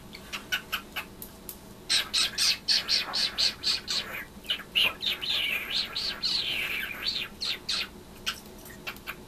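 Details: A pet cockatiel chatters in quick, high chirps and a warbling run, imitating the noises its owner makes, with loud kitchen cooking noise in the background.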